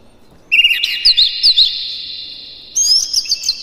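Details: White-rumped shama song used as a lure to excite other shamas: one loud phrase of rich whistles and sharp high chirps, then a sustained tone, and a second burst near the end.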